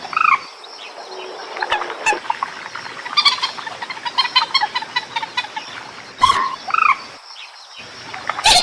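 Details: White-breasted waterhen (mandar batu) lure call, rice-field bird: rapid clucking and croaking notes in quick runs, with a few arched, nasal calls and loud sharp clicks between.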